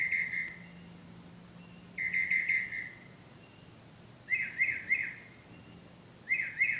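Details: Bird singing love songs after returning at night; clear whistled, warbling phrases, each about half a second to a second long, repeated roughly every two seconds over a faint low hum.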